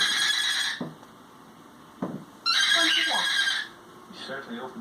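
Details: Pet cockatiel making a funny noise indoors: two long, harsh, buzzy screeches of about a second each, with softer rasping, sliding sounds between them.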